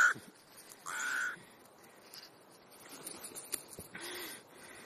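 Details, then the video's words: Crows at an afternoon gathering in Clara Zetkin Park, Leipzig: one drawn-out hoarse caw, a fainter call later, with quiet park background and brief clicks. "Krähen-Vesper / Crow Vespers"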